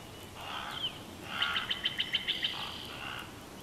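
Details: Female bald eagle at a Big Bear Valley nest, filmed on a nest camera on 12 June 2021, gives a chortle: a quick run of about seven thin, high staccato notes over soft background hiss.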